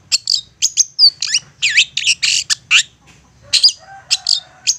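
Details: Persistent long-tailed shrike lure song for provoking other shrikes into singing: rapid scratchy high notes and buzzy slurs tumble together, ending with a brief lower, steady tone underneath.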